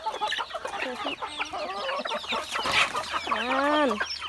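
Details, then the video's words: Chickens fed rice with rival birds joining in to snatch food: a dense mix of overlapping clucks and squawks, ending in a loud, harsh, rising-and-falling cry. "เอาข้าวให้ไก่ ฟังเสียงไก่"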